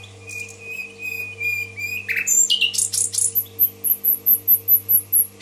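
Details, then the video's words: Common nightingale from Tashkent singing: a sustained whistled tone, a short buzzy burst, then a fast run of sharp, high, clipped notes repeated about three times a second. A steady low electrical hum runs underneath. "соловей гафиза булбул ташкент"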